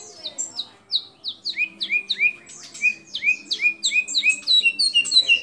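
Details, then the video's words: White-rumped shama belting out mimicry-laden song, including borrowed calls of kapas tembak and other birds: a fast series of sharply down-slurred whistled notes, roughly three per second, growing busier and higher toward the end. "Murai Batu Gacor Isian Kapas Tembak Sambung Cililin Lovebird Kenari Dll"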